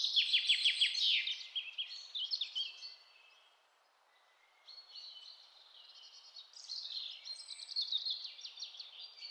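Yellow-billed blue magpie giving high, squeaky chattering notes in two rapid bursts separated by a brief pause, with a faint background hiss.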